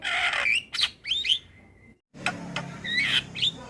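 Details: Adult male Javan myna singing to teach a young bird: a rasping burst, then short upward whistled slurs and a thin steady whistle, a brief silence, and more harsh notes with rising whistles.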